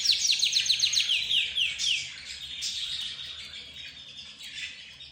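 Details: Singing from a group of pet birds: budgerigars, zebra finches, a rose bird and a canary. A fast series of repeated descending whistles opens, then a steady high tone with softer chirps around it.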